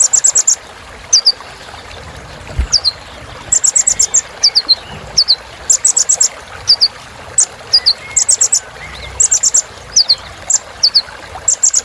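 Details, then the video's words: Sunbird named kolibri ninja in a rich filler song meant to excite birds: repeated fast rattles of high chips alternating with doubled falling tsip notes throughout, faint low background hiss. "Suara Kolibri Ninja Isian Mewah Bikin Burung Semangat"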